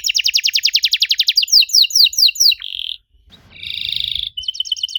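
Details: Canary song as a lure for young canaries: a very fast even trill slowing into swept notes, a buzzy rattle, a pause, then another rattle and trill.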